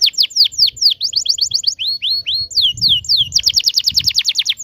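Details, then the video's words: Canary singing a varied rolling song, played as a tutor for young birds: quick repeated downslurred whistles, groups of rising notes, ending with a fast, loud trill. "kenari gacor panjang TEMBAKAN NGEROL ini ampuh buat pancingan kenari paud belajar bunyi"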